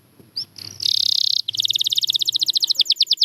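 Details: Canary song: a bright, high rolling trill, then a fast run of repeated sweeping notes, about ten a second, each slightly falling in pitch.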